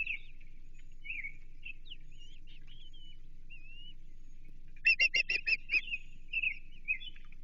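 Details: Osprey at the Chesapeake nest, 28 June 2023, around a feeding on American shad; quiet wavering whistles for the first half, then a loud rapid string of about eight sharp chirps, trailing into softer slurred notes.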